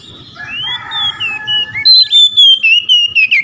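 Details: Oriental magpie-robin calling to provoke rival magpie-robins into answering; softer overlapping whistles first, then a loud run of clear, sliding whistled notes repeated several times per second.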